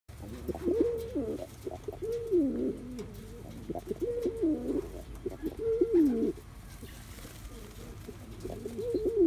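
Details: Young male Cuban Pouter pigeon performing a courtship dance, giving low rolling coos in bursts about every one to two seconds, each rising and falling, with faint background noise.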